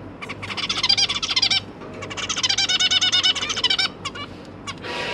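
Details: Zebra finches feeding their three juvenile babies; two long rapid rattling bursts of high nasal notes, separated by a short gap, over a faint low hum.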